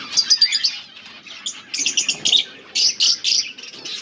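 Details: Mating calls from a budgerigar breeding pair, August 16, 2024: clear series of bright, clipped chirps in quick clusters separated by short silences, high and crisp.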